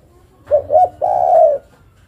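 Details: Female spotted dove calling for the male: one phrase of two brief coos and a long, even, mellow coo.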